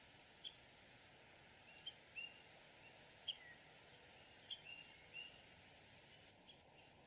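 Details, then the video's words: Downy woodpecker giving isolated crisp, high call notes, roughly one every second or so, set against faint constant background noise. "Downy woodpecker call / song / sounds"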